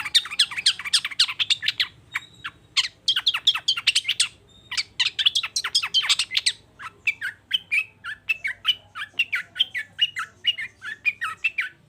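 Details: Long-tailed shrike giving harsh, rapid chattering song to stir another shrike into singing, with squawky broadband notes in quick runs, short gaps, then a steadier series of rhythmic chips.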